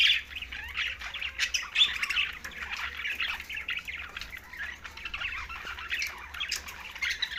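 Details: A group of green budgerigars feeding, tagged Larkana, Sindh, keeps up a continuous soft twittering babble of many overlapping chirps. The sound is steady and low-key throughout, over faint background hum.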